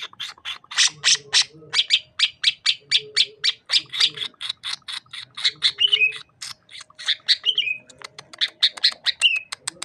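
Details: Sukamade-type greater green leafbird from Banyuwangi, East Java, pouring out a long, nearly continuous stream of rapid harsh chattering notes mixed with squawky twangs and brief warbled whistles throughout.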